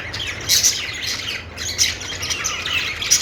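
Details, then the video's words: Happy budgerigar song from a perch: bright high chirps and a few clear whistled squeaks over soft chatter, loudest at the start and end. "cute budgie making happy sound,budgies singing on perch"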